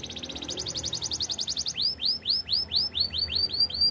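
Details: Singing canary used as training song: a rapid high trill that slows into a series of loud falling swoops, about two per second, bright and ringing.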